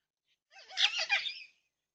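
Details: Yellow-tailed black cockatoo in a backyard with a bird feeder in New South Wales, Australia, four birds present, security-camera recording from 20/3/26; one loud, grating, drawn-out wail lasting about a second, with a brief faint sound just before.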